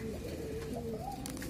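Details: Pigeon gives a drawn-out, slightly wavering coo that climbs a little before fading, with low murmuring and a rustle at the end.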